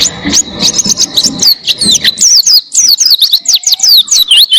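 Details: Oriental white-eye (pleci) in a recording used to train other songbirds pours out a fast, high, twittering song of thin slurred notes that sweep up and down, delivered continuously without pause.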